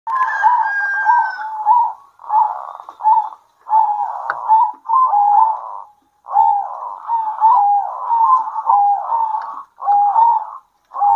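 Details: Local zebra doves singing at midday and answering each other: soft rolling, trilled coos near one pitch, in bursts of about one to two seconds with short gaps, nearly continuous over the stretch.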